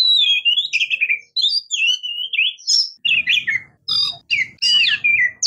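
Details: Oriental magpie-robin, locally called murai kampung or kacer, singing a varied run of clear whistled phrases sliding between high and mid pitch, with short gaps, then harsher chattering notes over a low rumbling background.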